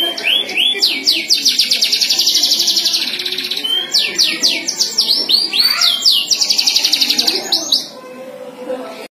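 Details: A domestic canary, Yorkshire canary named, sings a long, rapid song of high rolling trills and sweeping whistled notes, about four phrases a second, with brief pauses between bursts.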